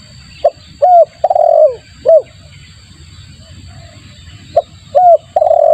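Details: Repeated spotted dove lure phrases: a short note, a clear coo, a long rolling descending coo and another coo, then the sequence begins again after a pause. Low background rumble and a steady high whine.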